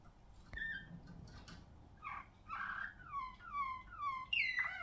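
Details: Malinois Waterslager song canary, ringed, singing indoors: after a quiet start with faint clicks, loud bubbling phrases at about two seconds, then a series of clear descending whistled notes ending in a sharp higher note.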